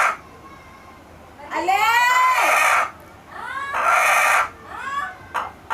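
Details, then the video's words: Chicken making unusual noises: two drawn-out, wavering harmonic calls, each lasting over a second with a quieter gap between them, then a few short clipped sounds at the end. "Weird noises by chicken"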